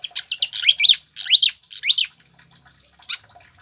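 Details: Pied fantail, song for training captive birds: quick squeaky chips followed by three clear rising slurred whistles about half a second apart, then a final sharp note.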